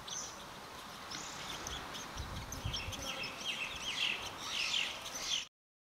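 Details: Seychelles sunbirds, female and male, on Curieuse Island, Seychelles, in May 2004, give thin, high, sharp chirps and quick twittering notes, louder toward the end, over a steady hiss of wind or surf.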